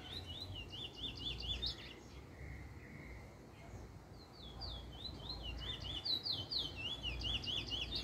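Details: Trinidad bullfinch, a first black bird picking up a nice form, 10/10/20: bursts of fast, chevron-shaped whistles separated by a quieter pause with a flat lower tone, the twittering phrases resuming strongly.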